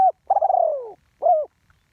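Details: Spotted dove used as a ground decoy bird, singing in the one-kuk style: a brief low coo, then a long wavering coo that slowly falls, then another short coo, all mid-pitched, with a quiet background.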